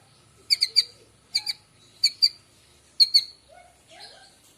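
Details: White-rumped shama in the morning, its song used to lure other birds: short clusters of two or three sharp, high chirps, repeated about once a second, with a few soft lower notes between and a quiet background.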